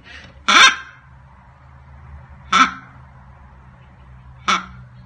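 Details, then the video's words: A one-month-old pet baby blue-and-yellow macaw gives three short, harsh, raspy squawks about two seconds apart over a low steady hum. "Blue Gold Macaw Parrot 1 month old"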